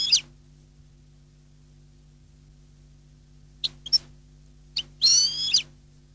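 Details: Goldfinch with a Neapolitan-style song: scattered brief, high chips, then a half-second buzzy, sliding phrase near the end, with a constant low hum in the background.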